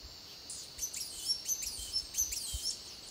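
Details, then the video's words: Blue-and-gold tanager recorded in Costa Rica: sharp, thin high notes and short downslurred chips repeated at an irregular pace against a steady hiss of background noise. "Bangsia arcaei"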